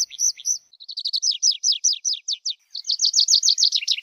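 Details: Singing tree pipit: a steady series of quick, slightly buzzy repeated notes that speeds into a dense, rolling trill near the end.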